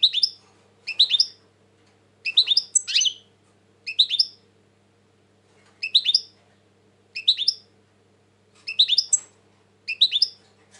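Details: European goldfinch, said to be very tense lately, giving short bursts of bright, twittering chirps. Compact phrases come every second or so and are separated by silent gaps.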